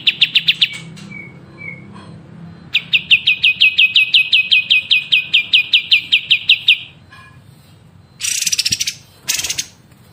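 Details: Songbird in a masteran (training) recording of continuous gacor singing: a fast run of sharp high chips, two short lower whistles, then a long even series of rapid repeated notes, ending with two dense bursts of very high trills.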